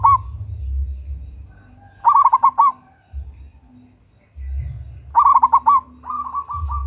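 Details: Zebra dove of local stock, female calling a male for use as a lure: loud bubbling coo phrases of quick rolling notes, one followed by a softer pulsed trill, with low rumbling background.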